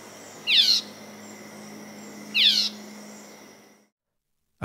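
Red-eyed Vireo giving two short, slurred, whistled phrases about two seconds apart, high and quick, over a faint steady hum; a brief thump at the end.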